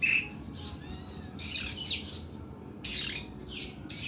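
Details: Oriental magpie-robin giving harsh, long 'nembak' song: loud rasping bursts roughly every one and a half seconds, separated by softer warbled whistles.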